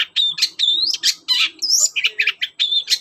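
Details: Morning song of a long-tailed shrike, used to draw other shrikes into singing: dense run of clear whistled notes and harsh scratchy chips, fast and varied, with no pause.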